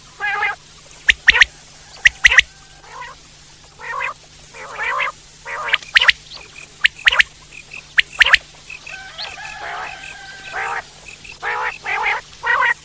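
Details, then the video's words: Common quail in the wild: sharp, clipped notes in quick pairs and triplets, mixed with longer, lower croaking notes at irregular intervals. "Common quail sounds"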